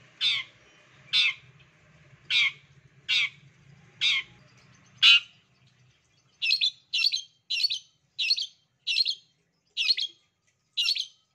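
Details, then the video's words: Long-tailed shrike sound used to prompt other shrikes to sing: six loud, broad rasping squawks about a second apart over a low hum, then a quicker series of ten shorter harsh chatters. "CENDET MALAS PUN AKAN NYAUT APALAGI MASTERAN CENDET PASTI BAKAL NARUNG DIJAMIN"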